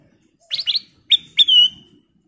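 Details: Kutilang emas bulbul, a lure call for stirring others to sing: two quick rough chirps followed by two clear whistled notes, the last drawn out and gently falling.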